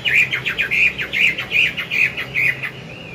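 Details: Chinese hwamei, an older wild-caught bird, singing in the morning to train and stimulate a young bird; clear whistled phrases run rapidly in a repeated pattern, bright looping notes rising and falling with short gaps, against faint room noise.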